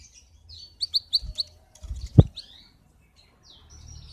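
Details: Male canary singing in a fired-up state, a song used to teach young canaries to sing and to excite females: a few short high chirps at a steady pitch, then a loud low knock with a slurred note.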